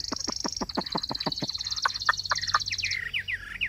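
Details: Caged Chinese hwamei: a rapid high trill over sharp repeated downstrokes, shifting into bold looping whistled phrases near the end.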